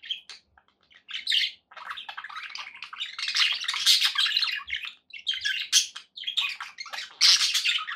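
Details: Pet budgerigars chirping indoors: dense bursts of scratchy, warbling chatter with short squeaky notes, broken by brief pauses.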